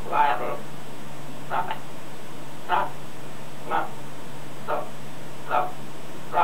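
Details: Outdoors, a pet macaw repeats a harsh gaaarrr noise copied from its owners, about seven rough bursts spaced roughly a second apart against a constant low drone.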